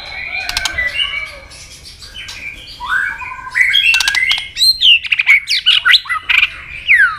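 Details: White-rumped shama giving a fighting song to provoke a rival: rich whistled phrases that rise and fall, mixed with harsh squawky bursts and sharp clicks, then a string of short varied notes at the end.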